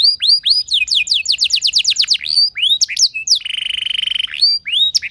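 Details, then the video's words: Canary song played to draw other canaries into singing: curved whistled notes, a run of quick descending sweeps, then a flat buzzing trill before more slurred whistles. "Cukup Putar Sebentar Saja Burung Kenari Lain Bakal Langsung Ikut Gacor Ngerol Mewah Dengan Pancingan"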